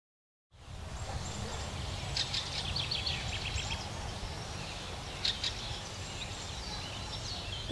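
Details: Fieldfare, a winter thrush, gives its annoyed-sounding, frequently uttered harsh dry "chak chak chak" calls, such as on take-off, in short rattling bursts over a steady low rumble of wind or distant traffic.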